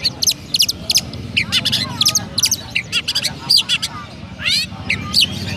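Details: Sparrow-style song of a captive Oriental magpie-robin in Petarukan, Pemalang, Indonesia: rapid runs of piercing chips and short chirps, broken by a few buzzy trills, delivered in near-continuous bursts.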